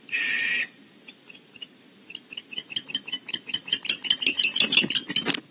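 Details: Barn owls, female and male, in a nest cavity at Starr Ranch, California, defending it vocally: a loud harsh hissing screech lasting under a second, then a quickening series of sharp clicks and chitters that grows louder toward the end.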